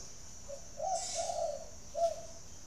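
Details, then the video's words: A single spotted dove phrase, recorded at a dove farm in Ba Vì district of Hanoi, Vietnam: a soft introductory note, a long throaty coo, then a short closing coo. "chim cu gáy"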